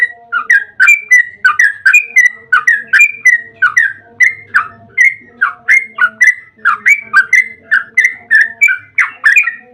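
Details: Long, unbroken ropel song of a yellow-vented bulbul used to lure bulbuls into song: a steady stream of loud, fluty, bubbling phrases, each note dipping and rising, repeated about twice a second throughout.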